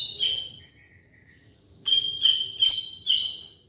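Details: White-rumped shama song serving as a lure for molting cage birds: high ringing, buzzy notes, a soft lower trill, then a rapid burst of repeated high notes over low background noise.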